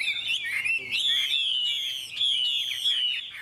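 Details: Chinese hwamei kept as a songbird, giving a drawn-out, sustained whistle that wavers slightly around one steady pitch for several seconds, with brief sharp notes breaking in.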